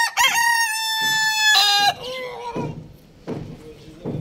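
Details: A rooster crowing loudly: a harsh, harmonic-rich opening note, then a long sustained, slightly wavering cry that drops into a lower drawn-out tail, followed by softer background clucking.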